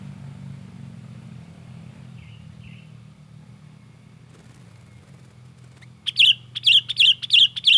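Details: Sooty-headed bulbul in agitated song, played as bait to lure wild bulbuls: after several seconds of low rumbling background, a rapid run of about five sharp, evenly repeated chirps.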